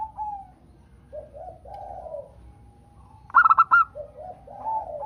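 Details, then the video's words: Local zebra dove song used to prompt caged doves to sing: soft, low cooing phrases, with a brief cluster of sharp, higher clicking notes in the middle. "masteran perkutut lokal - Pancingan perkutut agar bunyi"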